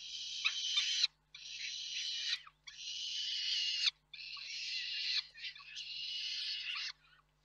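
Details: Peregrine falcons at a nest in Reda, Poland, on 4 May 2023, as the male brings food and the female passes it on; long harsh rasping wails, each about a second, in a steady series with short gaps.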